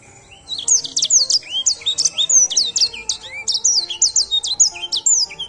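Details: Edel sanger canary song: a rapid, continuous run of high, sharp chirps and sweeping whistled notes, some rising and some falling, packed closely together for over five seconds, with faint steady tones in the background.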